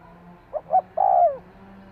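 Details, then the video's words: One spotted dove phrase, meant to spur a decoy bird into quick response: two brief hollow coos, then a longer warbling coo that slides downward. Faint low hum underneath. "Tiếng chim cu gáy thúc kích bổi nhanh nổi hiệu quả-Suara Burung Tekukur"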